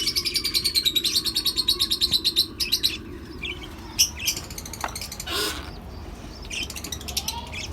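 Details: A colony setup with lovebirds, cockatiels and budgerigars: a fast run of evenly spaced, high chirps lasts about three seconds, followed by scattered sharp calls, a brief rustle and a few more chirps.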